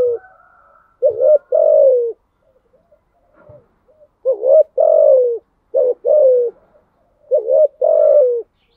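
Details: Spotted dove giving thúc gù style coos. Four deep, mellow phrases follow a quiet pause. Each pairs a brief lead note with a drawn-out coo that sags slightly at the end.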